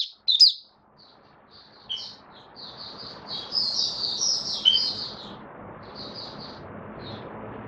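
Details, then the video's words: Caged white-eye after deworming and health supplements, opening song on 18 May 2022: a loud sharp note, then a rising stream of high, rapid twittering chirps that swells and fades, over steady low background noise. "Mata Puteh Kitaro buka sing"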